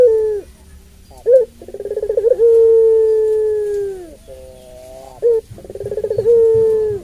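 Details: Puter pelung dove giving its long call, meant to provoke and train other puter pelung doves: low hoarse cooing that starts with a stuttering pulsed burst and stretches into a long, steady, slowly falling note, repeated twice.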